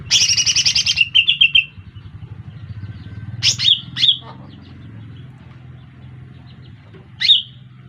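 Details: Lesser green leafbird lure call used for trapping birds: a burst of rapid high chirps, then short trilled phrases and sharp separate chirps at intervals, over a low steady background hum.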